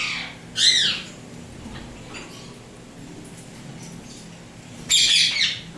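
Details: A tamed pet Indian ringneck parrot, turquoise blue or turquoise blue harlequin, gives two loud arching screeches roughly four seconds apart, with near-quiet in between.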